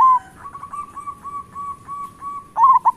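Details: Local zebra dove song used as a lure to prompt lazy doves to sing. A loud cooing note opens and closes the clip, with a steady, softer run of short, even coos in between at a constant mid pitch.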